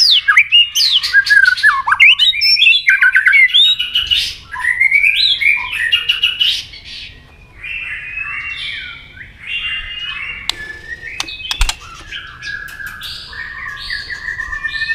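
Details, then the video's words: White-rumped shama fighting song with tail-flicking double notes, meant to provoke a rival. A loud, rapid run of varied whistles, slurred rising and falling phrases and sharp clicks, dense at first, then softer, steadier whistled notes. "chòe lửa tạch đuôi âm kép kích lửa hiệu quả.dìu lửa chuyền mùa 2 hót đấu lên lửa cực nhanh"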